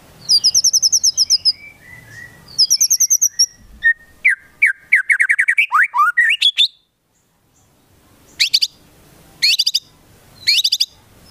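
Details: White-rumped shama in full song, filled with imitations of konin and kinoi birds: high thin trilled phrases, a run of slurred descending whistles, rising chirps, then short bursts of sharp, rapidly repeated high notes separated by pauses.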